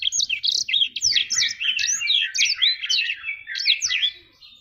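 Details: Energetic black-throated canary (jabrig) song, a continuous stream of quick, tumbling high chirps and slurred whistles, dense and scratchy, running without a break for over four seconds.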